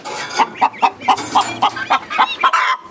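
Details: Hen at a breeder's flock, clucking noisily: a rapid run of short, throaty clucks about five per second, ending in a louder drawn-out note, close to the recorder.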